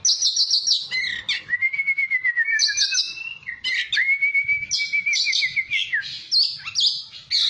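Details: Oriental magpie-robin song played to stir a caged bird into responding: long drawn-out whistles, some gently falling or rising, alternating with harsh high buzzy bursts.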